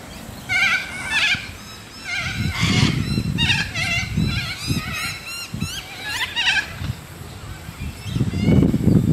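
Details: A flock of wild little corellas visiting Moorooka, Australia, calls with grating, scratchy screeches that overlap in a dense, continuous chorus, while a man talks quietly underneath.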